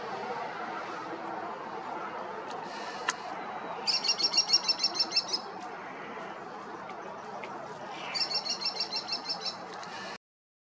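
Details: Female American kestrel in California (92563) scolding a red-tailed hawk with war-cry reprimands: two rapid bursts of shrill, high klee-klee-klee notes, about ten each, over steady hiss.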